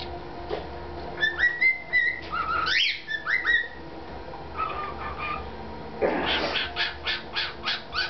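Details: Whistled song from a pet cockatiel that resumed singing three days after surgery while wearing a collar: a run of short upslurred and flat whistles, then a burst of rapid chattering notes, over low room noise.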